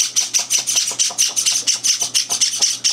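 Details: Young Java sparrows, kept indoors and three days in their new home, beg during a morning feeding that older birds interrupt; hoarse, hissy high cheeps repeated about four times a second, with a faint constant hum beneath.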